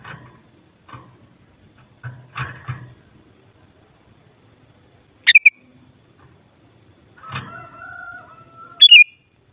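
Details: Knocks and rustles open the clip, then two brief whistled sooty-headed bulbul phrases appear, separated by a steady lower whistle. Meant to get bulbuls singing in reply.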